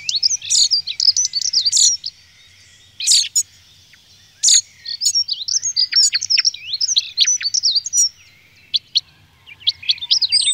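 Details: Common chaffinch song: repeated loud phrases of quick high trills, each about two seconds long and ending in a brisk flourish, separated by short pauses, with sharp single notes in between; a quiet low rumble in the background.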